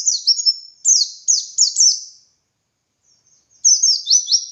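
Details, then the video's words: White-eye of the dakun type singing lively ngalas-style song, a training recording for other white-eyes: rapid bursts of high, thin, downslurred whistled notes strung into trills, a pause, then another fast descending run. "Masteran Suara Burung Pleci Gacor Ngalas Nembak Buka Paruh"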